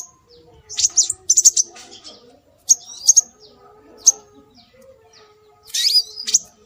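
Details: Scarlet minivet calling as a bird-attracting lure: scattered high piercing whistles, some clustered, irregularly spaced about 35 a minute, with a final rich burst. A faint low whistle is beneath.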